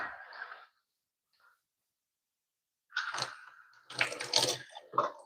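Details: Bursts of water splashing as from a tap, with a silent gap in the middle and no animal calls.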